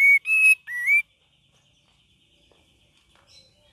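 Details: Cream-vented bulbul in its gacor and ngeriwik song style: three rich whistled notes, level then rising, within one second, followed by near silence and a faint distant note.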